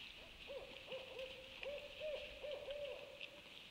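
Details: Several owls calling at night, dated 26 January 2020: a series of short, hooting notes with slight upward inflection, repeated in quick succession at a steady pitch, over a constant high hiss of insects or background noise.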